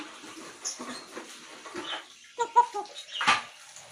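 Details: Pet grey parrot talking indoors: a run of short, varied squawks and chatter, then clearer tonal, speech-like syllables and a louder burst near the end.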